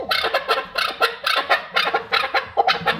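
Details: Chukar partridge delivering paired, grating chuck-chuck notes in a regular beat, each pair about half a second apart, loud and clear against a quiet background.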